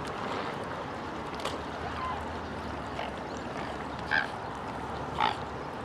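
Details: Mute swan (Cygnus olor) at Lake Yamanaka, Japan, on 7 January 2012 gives two short, nasal, honking snorts about a second apart over a steady rush of water or engine noise.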